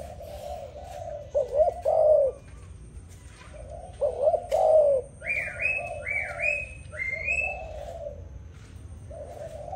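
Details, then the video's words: Deep rolling dove coos, two loud swelling phrases followed by softer ones, while another bird adds a higher, repeated rising whistle in the middle. "Sound dove singing, Lovely dove Singing so beautiful. Amazing dove"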